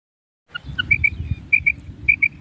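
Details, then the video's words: Female common quail calling: after a short silence, two lower pips followed by pairs of bright higher notes repeated about every half second, over low background hum. "مادہ بٹیر کی کرک | मादा बटेर की आवाज़ | Mada Batair ki kirak | Female Common Quail Raising Call"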